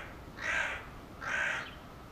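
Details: Hooded crow giving two harsh, hoarse caws about three-quarters of a second apart, each a broad rasping burst, with faint background hiss.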